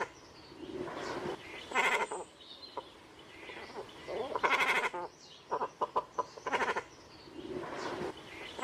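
Great cormorants give harsh, bleating croaks in short bursts, with several birds calling over a steady murmur of other colony voices.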